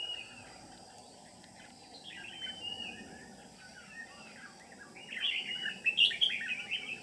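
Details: Red-whiskered bulbul of the Ché type, a lure bird used for trapping on 13 May 2019, giving competitive song: short warbled, slurred phrases, growing louder and busier toward the end, over a steady background hiss.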